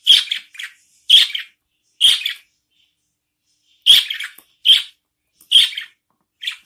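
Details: Loud, harsh begging squawks from newborn budgerigar chicks fed by their mother, given singly or in pairs about once a second, with a long silent pause midway.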